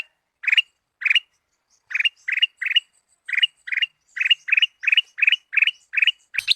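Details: Sooty-headed bulbul lure song used to make a caged bird sing: clustered bright chirps, first spaced apart, then speeding into a regular series of short rising bursts toward the end.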